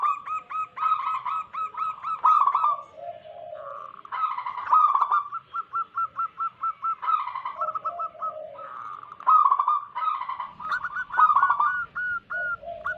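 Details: Wild local zebra doves recorded to lure wild doves: a long sequence of rapid staccato coo phrases from several birds, some with low purring notes beneath, interspersed with long runs of evenly repeated short coos.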